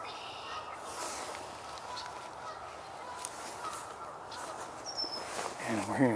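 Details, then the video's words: Canada goose at Sapsucker Woods Pond, Ithaca, New York, on 30 March 2024, gives a few nasal, resonant honks near the end from the left, over steady outdoor background noise with a person speaking. "we're hearing a Canada goose to my left."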